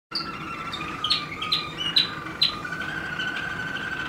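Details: Waterslager canary recorded in 2016 singing a tour of quick repeated chirped notes near the upper register, about two per second, laid over a long, steady, low whistled tone.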